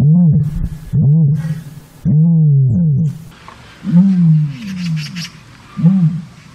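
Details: Common ostrich, Struthio camelus, giving deep, moaning booms with rising-then-falling tone, five calls spaced about one to two seconds apart, each loud and resonant; faint hiss between calls.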